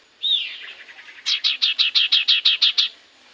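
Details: Common iora in full song, played as a lure to get other birds to answer: a high sweeping whistle, a soft stuttering run, then about ten loud clipped notes repeated quickly and evenly.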